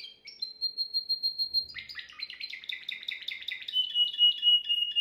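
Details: Timbrado canary, the best bird in a home aviary, recorded yesterday for schooling young canaries: a long steady whistled tone, then a fast run of rhythmic chirps, about four per second, ending in a smooth trill.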